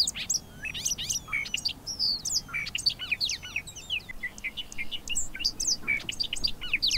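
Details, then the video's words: Bobolink pouring out a long, bubbling run of high, tinkling, banjo-like notes, rapid and varied in pitch, with short pauses between bursts over soft low background noise. "Bobolink calls and songs"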